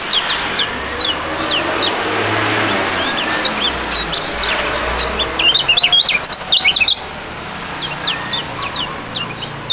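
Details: Two young songbirds of fighting type singing together in a duet; bright, rapid, whistled notes that slide up and down, with a dense burst of chirps in the middle against steady chirping from other birds in the background.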